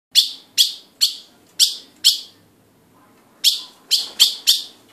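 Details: An ultramarine grosbeak (Cyanocompsa brissonii), one of a pair, gives sharp, high chip notes, five in quick succession, then a short pause and four more.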